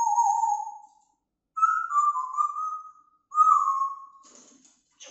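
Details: A pet female grey parrot, left alone in her cage while the owners are out, gives three clear, pure whistles, each about a second long, the later two gliding slightly downward, with short pauses between and a faint rustle at the end.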